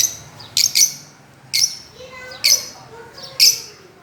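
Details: Fischer's lovebirds at play on a swing, with short, shrill chirps coming singly and in quick pairs, roughly one burst per second, between faint softer twittering.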